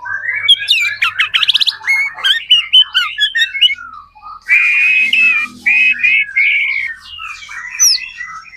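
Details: Dense white-rumped shama lure song to get other shamas singing: rapid rattling trills and chattering notes, then sustained warbled whistles with faint background noise.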